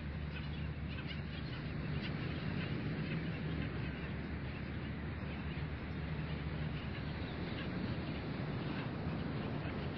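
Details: At dawn on a beach bird sanctuary, a dense chorus of short, nasal, yapping calls from many skimmers runs throughout, over a steady low rumble of surf and wind.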